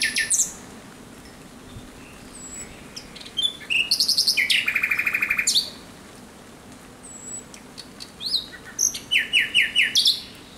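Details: Nocturnal song of a Common Nightingale, recorded 17 May 2023: scattered high whistles, then a dense buzzy run of repeated notes, and later a measured series of loud chopped phrases.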